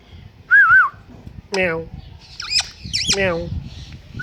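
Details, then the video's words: Talking pet parrot: a clear wavering whistle, then two speech-like harmonic phrases separated by shrill rising squeaks, all close and loud. "World Best Talking Parrot"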